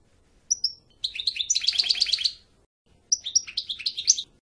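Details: Two short high whistled notes, then a dense burst of rapid liquid twitters and trills from a European goldfinch, a brief pause, and a second tinkling phrase.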